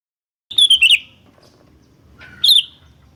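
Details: Sooty-headed bulbul (kutilang), lively birds answering one another in a lure and master recording: a bubbly whistled phrase of quick up-down notes, a pause of over a second, then a shorter answering phrase.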